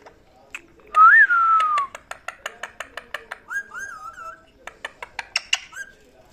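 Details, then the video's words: Parrot indoors giving a loud rising-then-falling whistle. Steady sharp clicking follows, about three per second, with a softer wavy whistle midway. "Lovely parrot talking | Funny parrot talking video"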